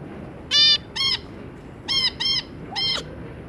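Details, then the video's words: Zebra finches, a pair with three juvenile young: five loud nasal, trumpet-like harmonic honks, in two pairs and a single, each short and evenly stacked. "Zebra Finch - Jobby and Yongi, and their 3 juvenile babies"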